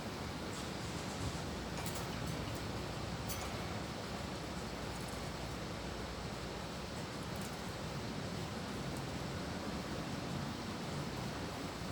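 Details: Steady broadband noise like wind or rumble fills the recording, with no clear animal calls. A few faint high clicks appear, but nothing stands out as a voice.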